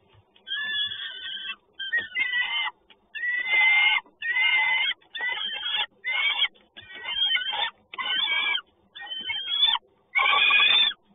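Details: Peregrine falcon recorded in Toruń, 30 May 2019, around 10:14: loud, rasping, wailing cries about a second long, given one after another with short gaps, some ending in a rising squeal.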